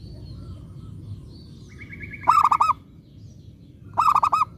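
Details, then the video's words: Lure zebra dove of local origin, meant to make other zebra doves call back, delivers two vibrating four-note coo phrases, the first preceded by a softer drawn-out higher note; low hum behind. "Pekutut lokal gacor RAJA PIKAT ini ahlinya bikin semua burung perkutut gacor nyaut"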